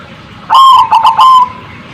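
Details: Zebra dove call meant to get other birds answering: a single loud stuttered coo, a clipped opening note, quick rattle and drawn-out ending, lasting about one second.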